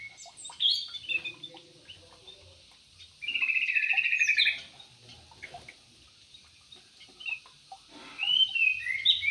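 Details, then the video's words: Aviary Javan pied starling delivers a dense, buzzy, rapidly pulsed chatter for over a second, framed by scattered squeaky notes and whistled fragments before and after. "BURUNG PANDAI MENARI JALAK URET \ SUREN"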